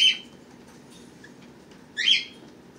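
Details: Pet birds recorded April 23, 2018, with babies hatched March 31 and April 1: two bright ringing chirp calls about two seconds apart, with quiet room hum between.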